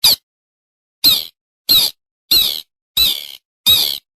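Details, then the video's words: Bittern call played as a trapping lure, a 2021 version said to work at the start of the season: six harsh, squeaky, high-pitched notes, each short and spaced about a second apart, against silence. "TIẾNG CHIM CHÀNG NGHỊCH"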